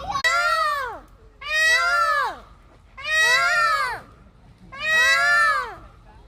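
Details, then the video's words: Four peacocks scream like crazy, perhaps in response to children's noise, giving loud, wailing, nasal screams about a second long, rising then falling, every second or two, with children's voices possibly mixed in. "Peacocks and kids are competing in making noise"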